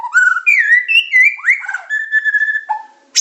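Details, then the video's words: Medan white-rumped shama in a training recording of pancingan, macet, tembakan and isian styles. Clear, pure, flute-like whistles step up and down, linked into a smooth melodic phrase that ends on a lower held note. "Materan burung murai batu medan super-pancingan macet-tembakan-isian"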